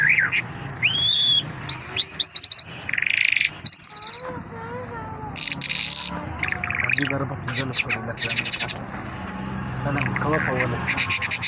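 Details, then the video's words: Mashhadi lark singing a varied, rapid medley of sharp chirps, rising whistled slurs, short rattling trills and buzzy bursts, with brief pauses between phrases and a softer wavering lower tone in the middle. "Mashhadi lark singing مشہدی جل"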